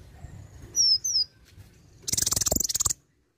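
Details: Olive-backed sunbird singing a varied song with mimicked notes: two piercing, slurred high whistles, then a fast, buzzy, rattling trill lasting about a second before stopping abruptly.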